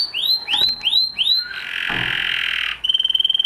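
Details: Spanish Timbrado canary singing: four rising, ringing whistled notes, then a harsh buzzy trill held for over a second, and finally a rapid metallic tinkling roll.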